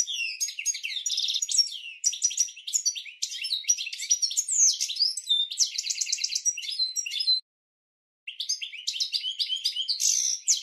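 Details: Cage-bird training song of a European goldfinch: a long, fast, continuous run of liquid twitters, trills and buzzy notes, including a rapid rattling trill, broken by one brief silence before the twittering resumes.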